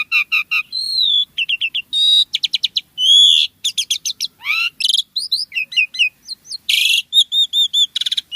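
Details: Dense, energetic Javan pied starling song full of fill-ins: fast chattering notes, upslurred and downslurred whistles, buzzy rasps and trilled runs with almost no pauses.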